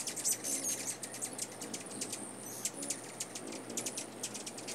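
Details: Rufous Hummingbird filmed in North America, giving rapid, very high, thin chips and twittering notes packed closely together throughout, with a faint low hum beneath.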